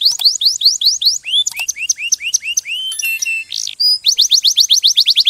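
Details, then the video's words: Singing canary with varied phrases: repeated rising-falling whistled notes, slower swooping slurs, a buzzy metallic section with a pure sustained tone, then a quick trill of short sweeping notes. "غناء كناري روعة Nyanyian burung kenari itu luar biasa"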